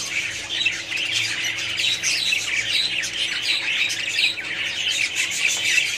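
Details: Many budgerigars in a colony call at once: twittering chirps, short rising and falling notes and raspy squawks blend into an unbroken, lively chorus.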